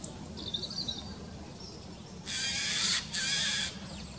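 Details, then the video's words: Eurasian jay recorded outdoors in 2019. Two loud harsh rasping screeches come back to back, after a faint thin high note, over a steady low rumble of background noise. "Eichelhäher, überall fliegt"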